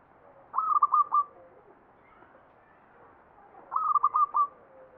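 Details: Zebra dove song in the ngepat style of the Mataram Jogja standard: two loud, clean phrases of rapid, stuttering coo notes, each lasting under a second, separated by about three seconds of near silence.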